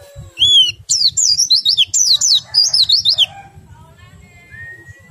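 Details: Oriental white-eye singing a rapid high warbling phrase of twisting whistled notes for about two seconds after a rising whistle, used to stimulate other white-eyes to sing; faint lower whistles follow.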